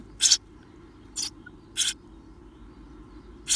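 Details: Eurasian tree sparrow chicks seventeen days old, just before fledging: four loud, harsh, hissing bursts, each a fraction of a second, spaced irregularly over a low steady hum.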